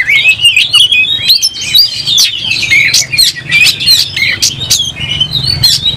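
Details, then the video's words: Fighting oriental magpie-robin in vigorous song, tail opened, showing its temper: a rapid flow of clear whistles mixed with harsh clicks and chatter, loud and unbroken throughout. "Kacer gacor langsung tarung buka ekor bongkar emosi"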